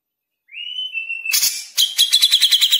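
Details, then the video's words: Grey-cheeked bulbul singing in the fast 'speed rapet' style: opens with a long, steady high whistle, then breaks into rapid, evenly pulsed metallic trills that quicken toward the end. "Jenggot Speed Rapet"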